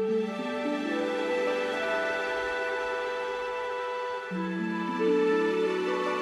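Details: Soft, slow instrumental music with sustained tones plays throughout.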